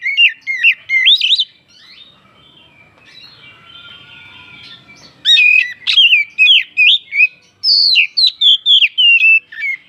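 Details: Provoking song of an oriental magpie-robin, meant to stir other birds: fast, varied whistled phrases with sharp upward and downward slurs, a faint pause midway, then a denser run of clear notes.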